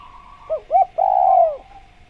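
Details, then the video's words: Single spotted dove phrase: a soft trill fades into two short rising hoots, then one long, smooth coo that falls away at the end, over a constant background hum. "Masteran Tekukur Biar Cepat Bunyi | Natural Jungle Dove Sound Effect"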